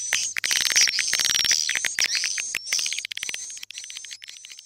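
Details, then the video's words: Swiftlet lure call for attracting birds to a swiftlet house; fast repeated buzzy chirps, over three per second, under a thin high whistled tone that slides slightly, fading somewhat toward the end. "Suara panggil walet"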